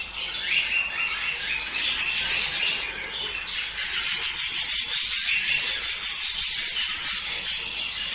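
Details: Budgerigars warbling to stimulate mating: rapid rattling, buzzy chatter of many overlapping birds, jumping louder partway through into a fast pulsing stream with a steady high whistled tone riding above.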